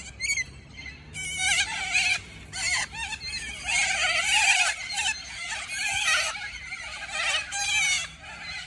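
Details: Cockatoos in the morning give loud, harsh, raspy screeches in ragged bursts, several overlapping, with brief quieter gaps between outbursts.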